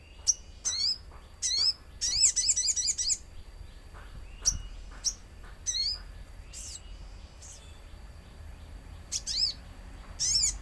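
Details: Common iora singing actively as a lure recording to make other ioras answer, with nature sounds: irregular bursts of high, sharp, twittering chirps, some clustered into rapid rattling runs, separated by quiet gaps over soft background hiss.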